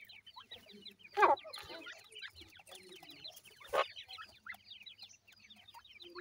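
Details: Grey francolin chicks, a pair with young: rapid overlapping high descending peeps run throughout, broken by two loud knocking bursts at roughly one and four seconds, over a faint low hum.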